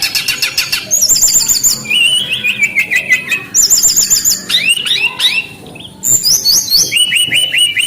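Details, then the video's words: Brown-chested jungle flycatcher song: rapid varied phrases of high whistled upslurred notes, repeated trills and sharp buzzy bursts, shifting pitch from phrase to phrase with brief pauses between bursts. "SUARA BURUNG SRDC GACOR - sikatan rimba dada coklat"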